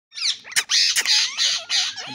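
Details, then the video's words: Green ring-necked parakeet talking: a run of raspy, harmonic, voice-like syllables with high squeaky overtones and two sharp clicks, the phrases bunched into short bursts. "green parrot ring neck talking"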